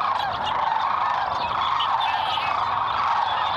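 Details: Lesser sandhill cranes in winter wetlands at Merced National Wildlife Refuge, Central Valley, California, on 11 February 2021; a dense, continuous chorus of rolling, rattling calls from many birds overlaps without pause.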